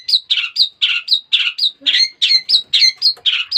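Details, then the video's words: Young long-tailed shrike, raised from a chick and newly beginning its song, delivering quick alternating harsh buzzy notes and clear high slurred whistles, about three per second. "burung cendet,,sekarang dah molai berkicau"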